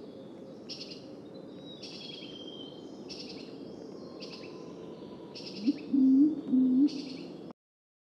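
A pigeon gives three low, soft coos near the end, over steady background hiss and high, thin chirps repeated about once a second.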